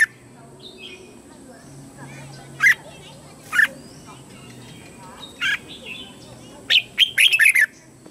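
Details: Singing red-whiskered bulbul used as a lure to call wild bulbuls to fight, giving scattered single bright notes every second or so, then a fast run of four or five loud whistled warbles, with faint distant bird chatter behind.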